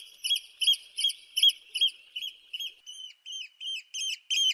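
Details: Eurasian oystercatcher calling a steady series of high, ringing kleep notes, roughly two or three per second. The notes soften midway, then return longer and stronger toward the end.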